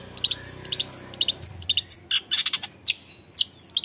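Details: Young long-tailed shrike singing: short, sharp, high notes and harsh buzzy chips in quick uneven bursts, about two each second, with brief scratchy chatter near the end.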